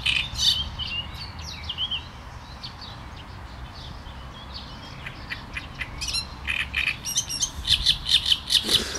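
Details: Great reed warbler with scattered grating notes early on, then a louder closing phrase of rapid, repeated harsh chirps and churrs.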